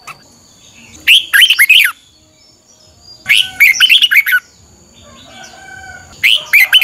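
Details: Red-whiskered bulbul in morning voice training, singing lure phrases meant to push other bulbuls into eager song; three bright, bubbling whistled bursts with quick up-and-down notes, separated by short pauses with faint chirps.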